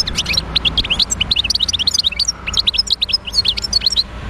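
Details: Wild European goldfinch from Médéa singing a dense, fast twittering song of bright, tinkling, liquid notes and short trills that run without pause, with a faint low hum beneath.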